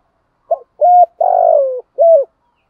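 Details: Low spotted dove coo sequence used to lure birds for trapping, thổ sấm style: a brief soft lead note, a short coo, a long throaty descending coo, and a closing short coo.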